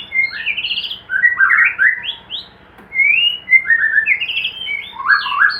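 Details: White-rumped shama kept for breeding in a hanging cage sings loud, varied phrases of rich whistles, slurred rising and falling notes and quick trills, in bursts with a brief pause midway.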